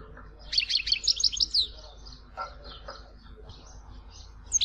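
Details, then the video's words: European goldfinch singing in Tizi Ouzou: a brief burst of rapid high twittering notes in the first seconds, then only faint scattered chirps and lower clicks over a low background hum. "Chant chardonneret tizi ouzou تغريد حسون تيزي وزو"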